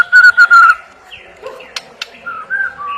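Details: Loud burst of three quick whistled notes from a white-rumped shama, followed by softer sliding whistles, two sharp clicks and a pair of mellow, level tones.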